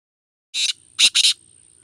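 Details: Black francolin giving three harsh, rasping bursts: one short note, a pause, then a quick double note. The background is otherwise quiet apart from a faint, steady high-pitched hum.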